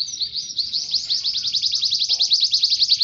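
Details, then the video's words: Domestic canary song, a fast even trill of high notes repeated about three times a second in quick pulses, steady throughout, with low background noise. "Kenari Mesin Tempur | Mewah | lagu rapat"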